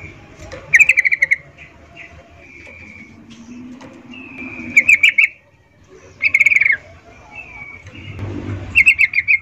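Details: Female sooty-headed bulbul's breeding call summoning males, known locally as 'ngecuplik': short bursts of rapid sharp chips repeated every couple of seconds, with faint thin whistles between bursts and a soft low rustle.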